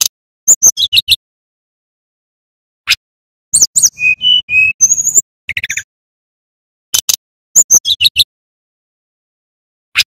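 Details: Singing male brown-chested jungle flycatcher of the Bali type, played as a lure and training model: scattered high chips and quick twittering groups, a run of steady mid-pitched whistles, then a buzzy descending burst, with long silent gaps between phrases.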